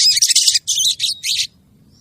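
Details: Female crested jay calling to a male, giving three loud, harsh, buzzy bursts in quick succession. The first is longest and the last is shortest. A quiet background follows.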